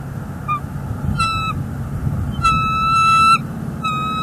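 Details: Nest camera in northeast Florida, 18 January 2022: a male bald eagle brings the female a furry meal and then incubates while she eats. Several sustained shrill whistles, one nearly a second long, rich in harmonics, over a low steady rumble.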